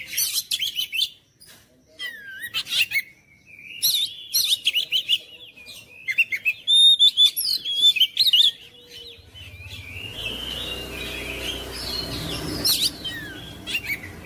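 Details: Oriental magpie-robin song meant to rouse mute, reluctant kacer into persistent singing: rapid sharp clicks and chips, then fluid whistled phrases and scratchy imitative notes, with a low humming background in the latter part.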